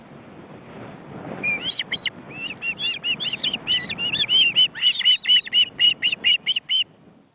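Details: Ospreys at their nest in an Estonian forest reserve, captured by a live webcam, with chicks ready to fledge beating their wings. Whistled notes begin faintly over a soft rushing background, then build into a steady, loud, rhythmic series before stopping.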